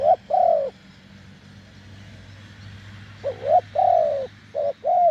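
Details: Wild spotted dove, deep-voiced, lured with a decoy on a branch: low hollow coos, short rising notes and longer falling ones, over a steady low hum.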